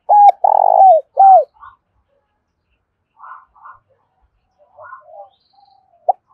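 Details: Decoy spotted dove used to attract wild doves, cooing a quick run of three hoarse, slightly falling notes at the start, then quieter scattered soft notes and a short coo at the end.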